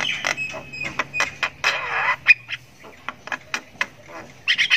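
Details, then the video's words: Javan myna chick (jalak kebo) chirping while learning to call: short scratchy squeaks and a longer hissing rasp, irregularly spaced, over a low background hum. "ANAKAN JALAK KEBO SULTAN NGRIWIK PANJANG"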